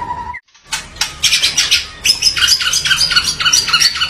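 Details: Fast, harsh white-rumped shama song: after a brief whistle and a short pause, dense high scratchy chatter in quick repeated bursts, several per second, with faint low background hum.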